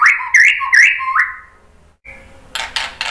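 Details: White-rumped shama lure song for goading other birds into singing. Rich slurred whistles and chattery notes last about a second and a half, then fade into quiet with a faint hiss and a brief noisy rustle.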